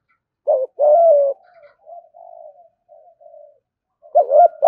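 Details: Spotted dove giving a provoking coo used to lure wild doves to a fighting perch: two loud, deep coos, then soft trailing hums and short notes, and a loud double coo at the end.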